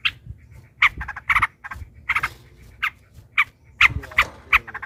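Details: Yellow-vented bulbul singing in a fight, long rolling song used to make other bulbuls answer: spaced bursts of bright, bubbly chatter separated by quieter pauses.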